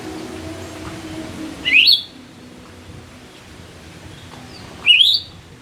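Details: Myzomela filmed on 25 December 2022 in raw footage for behaviour observation, giving two loud, quick upward-sweeping chirps three seconds apart against a quiet, low background rumble.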